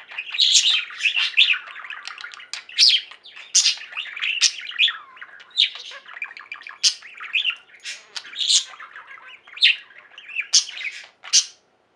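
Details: Chattering song of a kept budgerigar flock: squeaky twitters, buzzy warbles and piercing chirps overlap continuously, fading to quiet in the last moment.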